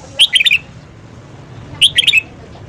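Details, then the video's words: Red-whiskered bulbul in morning song for voice training: two crisp, fast phrases of five or six warbled whistles, separated by about a second of quiet. "luyện giọng chào mào hót sáng"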